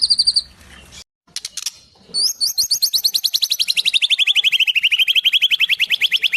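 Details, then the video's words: White-rumped shama singing a song filled with imitations of sparrows and kingfishers: a few brief scratchy notes and a pause, then a long, very fast series of sharp repeated chips that drift slowly downward. "Murai isian burung gereja dan tengkek"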